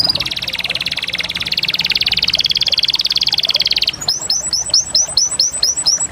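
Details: Canary with a long pulsing trill of nearly four seconds, switching to a series of loud, sharply descending chirps repeated about twice a second.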